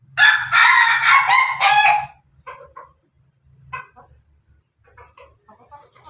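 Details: Pelung chicken rooster of the Bangkok line, feeding together with hens: a loud, harsh, drawn-out crow of about two seconds opens the clip, followed by scattered soft clucks and quiet pauses.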